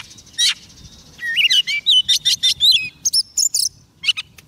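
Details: Soft-food-fed Oriental magpie-robin singing to lure wild birds: a fast sequence of clear, wavering whistles and sharp high chirps, opening with a buzzy note, then brisk repeated phrases before a brief pause and a final chirp.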